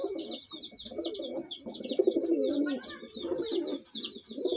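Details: A pair of pahadi (hill) pigeons cooing almost nonstop in low, bubbling, throaty phrases, with small birds chirping busily and sharply in a high register throughout.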